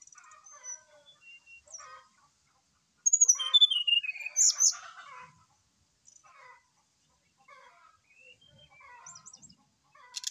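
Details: A brown-chested jungle flycatcher in full morning song, used to coax another bird into singing; quiet scratchy warbles frame a loud central phrase of sliding whistles falling from very high to mid pitch.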